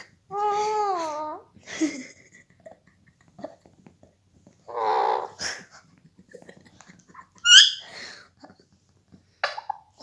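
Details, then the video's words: Pet Indian ringneck parrot kept indoors, just beginning to talk and making varied sounds; it is said to copy the family's laughter. Heard: a wavering harmonic call, a short raspy burst, then sharp high squeaks, with quiet pauses between. "Different sounds of Parrot/mithu ne jb bolna shuru kia"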